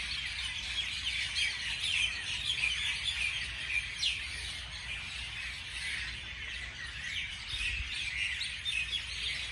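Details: Morning chorus of many birds, rapid high chirps and occasional sharper squawk-like notes overlapping, with a brief rising whistle standing out.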